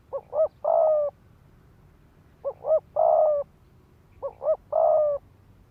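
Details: Decoy spotted dove performing rapid 'thúc gù' coos to incite males to fight; three phrases, each a pair of short coos leading into a longer buzzy coo, about every two seconds.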